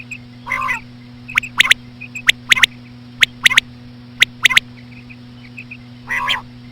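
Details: Common quail, slow female quail sounds used for quail hunting: sharp clicky triple notes repeated about once a second, with softer chirps between, two wavering harmonic calls near the start and end, over a steady low hum.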